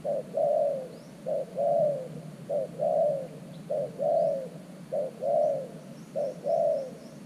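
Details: A spotted dove serving as a decoy at an earthen trap for wild doves repeats its low cooing phrase six times in a regular rhythm, a short note leading into a longer falling coo, with faint high bird chirps behind.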